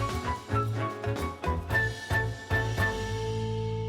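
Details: Only instrumental music is heard, with drums, bass and sustained chords and no animal sounds.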